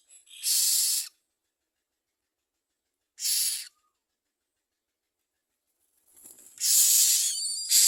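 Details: Common myna at the nest while adults bring nestlings as food for their young; loud, harsh, hissing rasps about half a second long, two bursts early, then a longer rasping run after a quiet gap.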